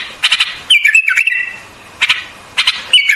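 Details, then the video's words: White-eared bulbul singing a liquid warbled phrase with a sliding whistled note, followed by short harsh chattering bursts at intervals. "White-Eared Bulbul Song"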